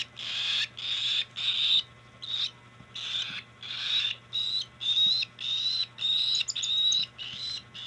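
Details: Cockatiel at hand feeding giving a steady series of around a dozen harsh, buzzing begging calls, each about half a second long with brief pauses between.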